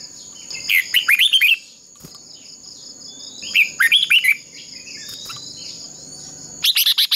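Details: Decoy red-whiskered bulbul singing contest-style for training: three short bursts of looping whistled notes spaced a few seconds apart, with a steady shrill background tone.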